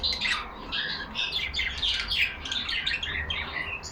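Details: Several caged pet budgerigars, some yellow, chattering among themselves: a dense, continuous stream of scratchy warbles and short chirps that overlap without pause, with a faint low hum underneath.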